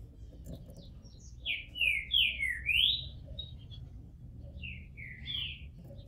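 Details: Green-winged Saltator, a caged Brazilian bird coming out of moult with a bald head, sings a quick phrase of four joined rising and falling whistles, then after a pause two softer whistled notes, over low room noise.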